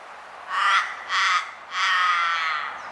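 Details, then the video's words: Three rough, hoarse croaks from a common raven, two short and one longer, delivered in quick succession with little background noise. "Raven Sound | Mysterious Calls of One of Nature’s Smartest Birds"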